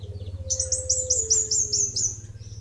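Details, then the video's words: Kemade Bunga Api delivering a quick series of about eight bright, high chirps, each dipping slightly in pitch, over a steady low hum and a faint drawn-out tone. "Suara Burung Kemade Bunga Api"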